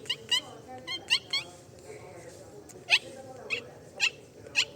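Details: Two pet cockatiels in their cage give sharp, harsh chirps in quick bursts, with short pauses between them.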